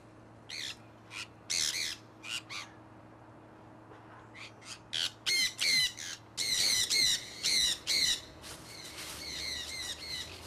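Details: A pet flock of conures let out to fly in Iowa in early spring 2003 gives harsh, buzzy squawks in short bursts, sparse at first, then coming rapidly, several a second, over a low steady hum.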